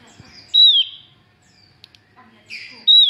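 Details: Female Javan grey-throated white-eye calling actively, used to lure males: two loud, clear whistled notes sliding downward, about two and a half seconds apart, each preceded by softer buzzy chatter.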